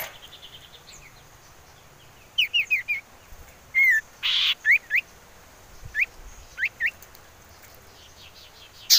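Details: Whistled calls of a common iora used as a lure to make birds sing: scattered short arched and rising whistles in small clusters over steady background hiss, with brief loud noise bursts.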